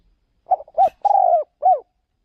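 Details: Decoy spotted dove taken out to lure wild doves in another province. One low, mellow cooing phrase of a stuttered start, a rounded coo, a long burry coo and a downward last note, with a soft rustle during it.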